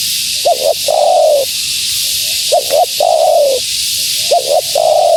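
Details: Female spotted dove calling to lure wild doves. The phrase is a quick double hoot, then a drawn-out descending coo, repeated about every two seconds. Constant hiss runs underneath.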